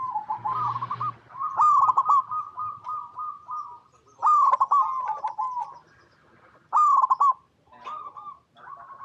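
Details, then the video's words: Local zebra dove cooing as a lure for other doves: repeated bubbling, rolling phrases of quick stuttered notes every two to three seconds, linked by softer wavering coos, with a short burst of noise at the start. "Perkutut Lokal Gacor Suara Paling DiCari Untuk Pancingan Semua Burung Perkutut Agar Bunyi"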